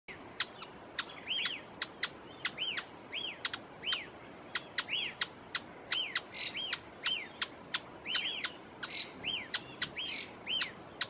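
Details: Ochre-flanked tapaculo singing in Pumalín Park, Los Lagos Region, Chile: arched notes repeated about twice a second, mixed with sharp, dry ticks.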